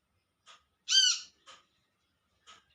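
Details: Olive-backed sunbird in the wild calling to its companions: one loud, full, arched note with a few soft ticks before and after.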